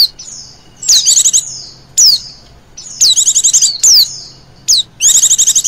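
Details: Female Oriental white-eye lure call in 'ngecir' style: thin high whistles and quick falling slurs spaced about a second apart, interleaved with short bursts of rapid trilling.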